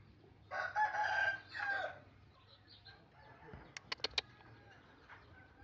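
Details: Javan green junglefowl, one of a tame free-ranging pair hatched from eggs and 11 months old, recorded on a phone: a hoarse two-part crow, a longer burst then a shorter one, followed by a few sharp clicks in a quiet setting.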